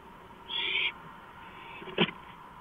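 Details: An owl on a porch at 2:05 AM on April 5, 2015, gives one short, harsh, hissing screech lasting under half a second, followed by a sharp click, over a steady low background hum.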